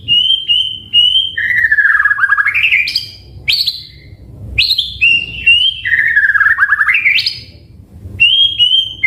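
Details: White-rumped shama in active song for a lure and training recording: paired high whistles, then a descending warbled run rising to sharp upward sweeps, with the whole phrase repeated twice.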